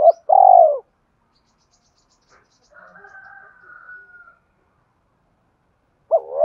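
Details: A single long, mellow falling croo from a spotted dove, a call used to train decoy birds, followed by a faint thin higher tone and a silence before another phrase begins.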